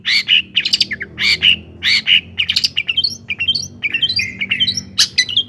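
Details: Long-tailed shrike song meant to rouse other shrikes: harsh scratchy bursts mixed with quick upward-sweeping whistles and mimicked phrases, varied and rapid throughout.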